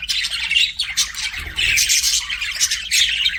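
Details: Pet budgies produce a lively jumble of harsh chirps and scratchy warbling notes, loud bursts pulsing roughly every half second over constant high chatter.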